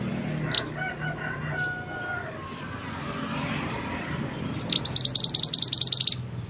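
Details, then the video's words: Tutor recording of a mantenan bird singing for other birds to learn from: a few scattered high notes, then a fast run of bright, evenly repeated chirps near the end, with a low hum behind. "burung mantenan yang handal untuk masteran"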